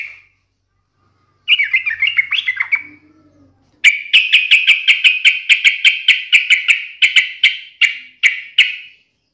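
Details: Yellow-vented bulbul taunting a rival: a jumbled warbling phrase, then a long steady series of sharp, ringing notes repeated about three times per second.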